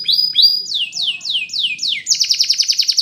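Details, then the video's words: A Belgian canary sings bright, high tours: repeated rising chirps, then a run of sweeping downslurred notes, ending in a rapid, rattling trill. "Spectacular Belgian Canary"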